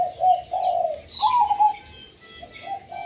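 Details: Zebra dove singing a tumpang sari style song: a run of mellow, rolling coos with a bubbly trill that flows almost without pause. Thin high chirps from other small birds sound overhead.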